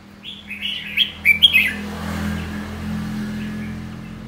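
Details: Red-whiskered bulbul singing a rapid run of bright chirping whistles over about one and a half seconds, then fading into a steady low hum.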